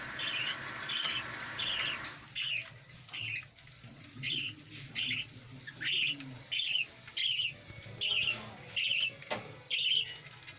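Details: Captive Budgerigars, parents with five chicks, during feeding in a home aviary. Bright, high chirping notes come in short bursts, roughly a dozen over ten seconds, with a faint steady high hiss behind them.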